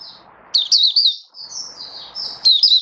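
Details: Mata puteh (oriental white-eye) kept as a hobby bird, singing 'buka sing raja' on 21 October 2022: high, thin sustained whistles mixed with brief twittering flourishes. A soft murmur of background noise runs underneath.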